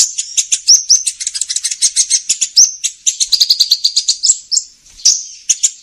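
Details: Lure sound for trapping the sunbird called kolibri ninja: a continuous stream of very high, rapid chirps and short upslurred whistles, nearly unbroken, with a brief pause near the end before more sharp notes.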